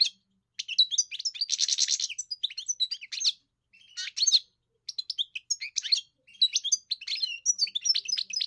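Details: Song of a kept European goldfinch under song training, a nearly continuous liquid twitter of rapid chirps, one harsh buzzy rasp early on and a short pause midway, with no other sounds.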